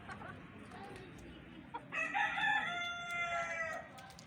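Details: Rooster crow starting after a short pause: a sustained, ringing call of almost two seconds with strong stacked tones that slowly fall, amid low background noise.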